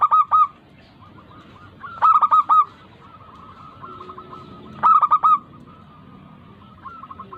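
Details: A local zebra dove sings to coax idle doves into song. Short clusters of four or five rapid, hollow coos come at irregular intervals, while a quieter dove keeps cooing steadily behind them.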